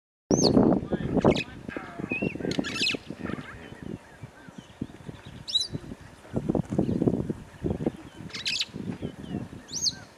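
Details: Rüppell's long-tailed starling (Lamprotornis purpuropterus) singing at midday in Serengeti National Park, Tanzania: rough bursts of harsh, grating chatter broken by sharp, high whistled notes every couple of seconds.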